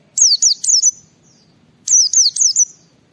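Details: White-eye singing in ngalas style as a lure for other white-eyes: two bursts of four bright, rapid, falling whistled notes, each burst under a second long and separated by a brief pause, with faint low hum.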